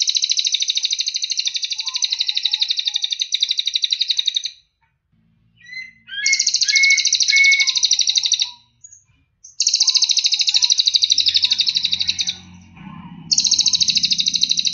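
Cililin song in long, dense, high buzzy trills of about four seconds each, separated by short pauses. Faint low rumbling shows near the end.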